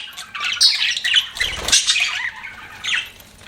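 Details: Budgerigar chatter of scratchy, squeaky chirps and warbled notes, with a brief rustling or flapping sound in the middle.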